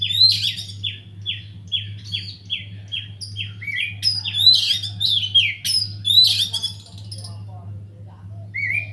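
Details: Aviary white-rumped shama singing busily, a song meant to spur other birds to sing: a series of repeated downward-slurred whistles followed by sharp, scratchy high notes and rising whistles, with faint steady low hum.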